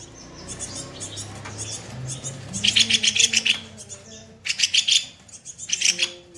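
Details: Kopi-kopi songbird delivering 'tembakan kasar' harsh shots, used as a master to train other songbirds: quiet chatter at first, then loud, grating, fast-pulsed bursts of under a second, repeated twice, over a low background hum.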